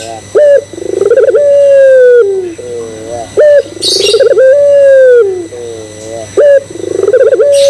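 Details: Repeated lure cooing from a Barbary dove (puter pelung) to make other doves join in. About three phrases, each a high clipped note, a pulsed stutter and a long level coo sinking at the end, with wavering low notes between. A burst of high chirps comes midway.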